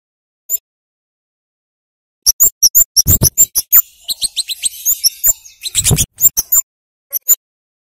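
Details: Flowerpecker singing in a lure recording for young birds: after a lone tick and a pause, a burst of quick, shrill chirps, then a buzzy rattling stretch mixed with sharp notes, ending in scattered ticks.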